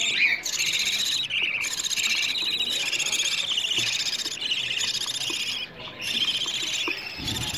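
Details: Budgerigar chicks calling for food, used to prompt adult budgies to mate and lay eggs: insistent raspy, buzzing high cries running almost without break, several chicks overlapping, with short gaps near the end.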